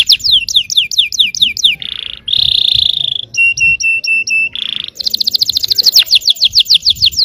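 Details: Yellow canary song used to provoke other canaries into singing: quick descending whistled notes, then a sustained buzzy roll, a clipped run of repeated chips, and a long rapid trill of fast repeated notes.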